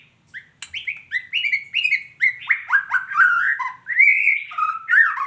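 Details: Female white-rumped shama, a caged bird, giving a lively run of clear whistled notes, each sliding and slurred, repeated about once a second and building in strength, with a few sharp clicks early on.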